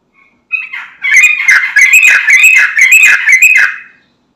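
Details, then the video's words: Sooty-headed bulbul (trucukan) song used as a lure to make other bulbuls answer and sing: a bubbly, chattering run of loud warbled notes with whistled phrases, lasting about three and a half seconds. "Trucukan Bahan, Ombyokan Langsung Nyaut Dengar Suara Trucukan Gacor ini"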